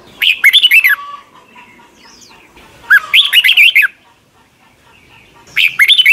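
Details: Red-whiskered bulbul singing in Thailand, for caged young birds to copy each morning: three fluty, chattering phrases of rapid whistled notes over faint background calls.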